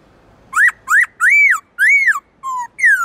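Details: Kept black-throated laughingthrush singing a varied many-voiced forest-style song, used to stimulate wild-caught birds: six rich whistled notes, two rising and quick, then broad arched slurs, one flat lower tone and a final falling whistle.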